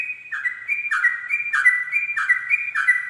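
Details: Sooty-headed bulbul singing at dawn in the fast 'ropel' style: short bubbly whistled phrases, each dropping then rising, repeated about every half second in a steady, clear run.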